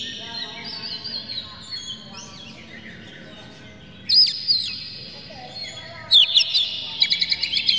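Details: Oriental magpie-robin provoking song used to agitate birds, with harsh, clear phrases. Faint drawn whistles build into loud sharp chirps after four seconds, ending in a rapid stuttering series of high notes.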